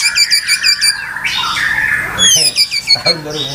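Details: A white-rumped shama gives rows of rapid, high, chattering notes, then a blurred stretch, then more crisp repeated chirps and a slurred whistle.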